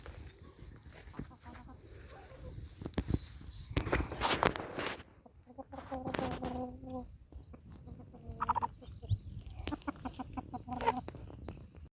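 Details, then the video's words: Chicken on a farm giving short bursts of low, nasal clucks in small groups, spaced a few seconds apart, amid rustling, thumping and general farmyard noise. "Farm animals, animal sounds: cow, chicken, pig,"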